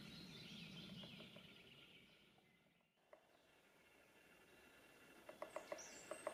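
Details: Lesser spotted woodpecker excavating a nest hole at Reastvere, Jõgevamaa, in spring 2019: a few faint knocks early on, then a run of sharp, irregular pecks near the end, with thin high birdsong and soft rustling behind.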